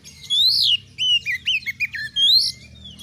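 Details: Caged oriental magpie-robin in gacor song for mental testing of other birds: a loud rising whistle, a string of short wavering whistled notes, then another upsweep over low background hum.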